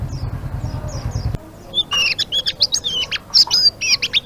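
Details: Faint high notes over a low hum, which stops abruptly, and then a Blue-winged leafbird bursts into loud, jerky ngeriwik chatter of quick high slurred whistles and chips.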